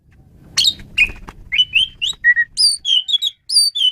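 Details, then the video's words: Asian pied starling, a caged songbird used as a tutor for training other songbirds, singing a varied run of whistled and harsh notes between 2 and 8k, each phrase briefly held, with faint low rumble at the start. "Ocehan Burung Jalak Suren"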